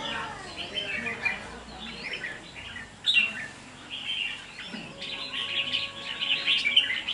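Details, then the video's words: Red-whiskered bulbul singing in a competition cage, bursts of rich warbled phrases separated by short pauses, with a sharp knock near the middle. "Kè Chim Thi Chim Mộc Đấu Hót"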